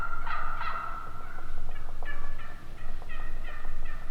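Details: Two loud turkey yelps open, followed by softer, faster yelps and clucks from wild turkeys, with a faint constant low hum beneath.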